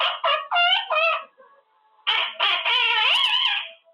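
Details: Caged male Quaker parrot practising words: two quick bursts of harmonic, voice-like syllables, a short pause, then a longer run of chattering speech-like sounds with wavering pitch.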